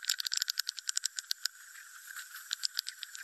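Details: Swiftlet roosting lure sound: rapid dry clicking ticks repeated in quick series, fading into softer chatter, then a few louder scattered clicks near the end.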